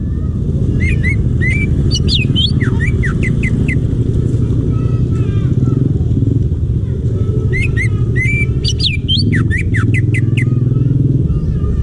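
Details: Two spirited bursts of quick, varied downslurred and rising whistles from a wild greater green leafbird in forest, separated by quieter scattered notes, with loud low engine-like rumble underneath.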